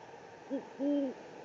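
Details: Great horned owl giving two deep, soft hoots, a brief note then a longer steady one, over a faint background hiss, on a live cam at the Presidio, San Francisco, on 3 March 2019.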